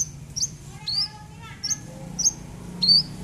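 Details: Javan bush lark used as a lure to set off a silent bird: five brief, high, clipped chirps spaced about half a second apart, over a low background hum.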